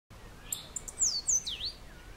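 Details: Cabanis's ground sparrow (Costa Rican ground-sparrow) recorded at Grecia, Costa Rica: a short phrase of very high, thin notes, a few brief ticks followed by sharp descending whistled slurs and a final dipping, rising sweep.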